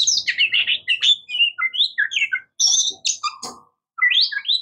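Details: Singing Oriental magpie-robin, known as murai kampung or kacer: rich, varied whistles and warbles, some sharp high notes and a lower clipped note, in quick phrases separated by brief pauses.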